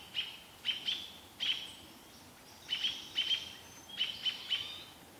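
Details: Robins (American robin) calling in alarm at a barred owl near Vancouver: bright, sharp chips, some doubled, in two groups separated by a roughly one-second pause.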